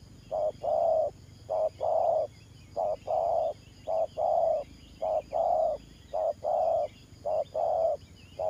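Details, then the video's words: Spotted dove decoy used for ground trapping, delivering 'thổ pha' style coos: about eight rhythmic pairs of low mellow notes, short then drawn out, repeated almost every second, with faint bird chirps behind. "Thổ Pha Nước Gù AE Tự Thẩm.Clip288_ Nết Gù coi sướng mắt"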